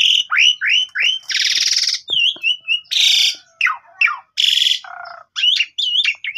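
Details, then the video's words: Javan pied starling song used each morning as a lure for a silent bird, phone recording: repeated curved whistled notes broken by loud harsh rasping bursts and a lower buzzy note. "PANCINGAN WAJIB TIAP PAGI !! JALAK SUREN BISU LANGSUNG GACOR MOMPA"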